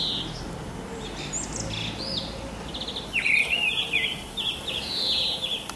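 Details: Mistle thrush singing on a spring morning in March or April 2010: short fluted, warbling phrases, high and clear, separated by brief pauses, over faint low background rumble.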